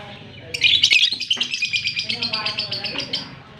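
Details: Fischer's lovebird kissing a blue personata partner in Larkana, Sindh, October 20, 2023, giving a loud shrill twittering burst followed by a rapid, evenly pulsed chatter of about twenty high notes that fades out.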